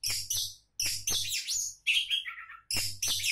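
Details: Oriental magpie-robin, a would-be contest champion, alternating loud rasping bursts with a sliding whistle and a descending trilled phrase.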